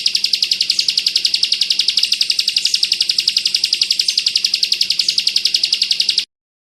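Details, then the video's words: Bar-winged prinia singing the 'kristal bren rapat' style, recorded as a tutor track for pleci birds. A piercing, steady, pulsed buzz repeats about four times a second for six seconds, then cuts to silence. "Masteran burung ciblek kristal bren rapat ak 47, bagus untuk isian burung pleci"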